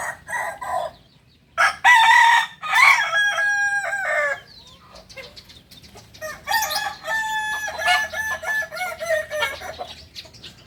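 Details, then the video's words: Kukuak balenggek rooster of Solok, West Sumatra, crowing twice: each phrase a string of sustained, stepped harmonic notes, separated by a quieter stretch with brief clucks and chirping. "Ayam kukuak balenggek ayam penyanyi dari solok sumbar"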